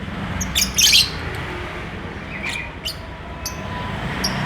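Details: Courting lovebird seeking to mate gives a harsh high squawking burst followed by softer scattered chirps, against a steady low hum.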